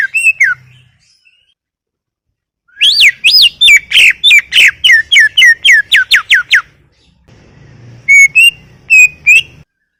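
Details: Greater green leafbird in full song, a long 40-minute session: a loud burst of rapid whistled notes sweeping down from high pitch, about a dozen in quick succession, then short rising whistles after a pause.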